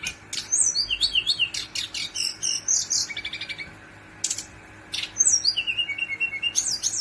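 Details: Brown-chested jungle flycatcher, a male, giving a long rolling song: high clear whistled phrases with quick warbled trills and sharp upslurred notes, in rapid bursts broken by a short pause.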